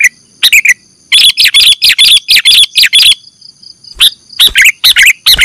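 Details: Kutilang, the sooty-headed bulbul, heard as a bird-catching lure: a fast, dense chatter of chirps, a short lull, then more sharp chirping phrases, with thin steady high tones behind.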